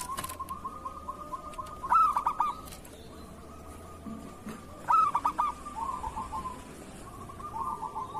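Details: Local zebra dove (perkutut lokal) singing in the kerot style, used as master song to coax lazy or moulting doves into singing; two bursts of rapid, bubbling coos around two and five seconds, over a faint steady tonal hum.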